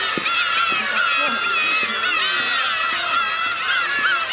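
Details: Many black-tailed gulls calling together on Kabushima island on New Year's Day 2015 in winter; overlapping nasal mewing calls fill the air, with faint low sounds like footsteps or voices beneath.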